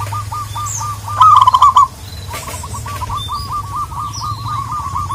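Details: Local zebra dove calling a rival in Indonesia: a steady run of quick, soft cooing notes, louder for a moment in the middle, over a low constant hum.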